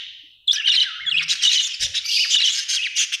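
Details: After a short quiet start, a budgerigar breaks into continuous buzzy, rapid warbling chirps that stay steady and loud to the end.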